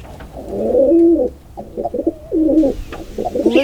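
A pigeon gives soft, throaty coos, low and rolling, in a few bursts with brief pauses; a faint voice is heard near the end.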